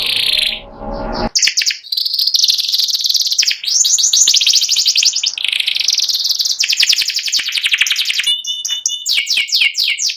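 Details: White panda canary, ready for contest, in sustained ngeriwik song: after a short noisy opening, long unbroken high trills alternate with buzzy rolls, clear ringing notes and quick slurred chirps.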